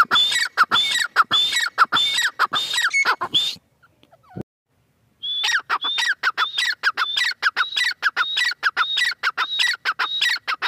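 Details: Harsh, repetitive calling from a female francolin, quick strident notes with a whistled high element and a lower drop. A silent gap with a single click sits midway before the rapid sequence starts again.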